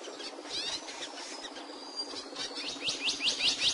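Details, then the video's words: Capuchino seedeater singing: faint scattered chirps, then a closing run of five quick, clear, high upslurred whistled notes at about three per second, over a steady background hiss. "PAJARO CAPUCHINO CANTANDO"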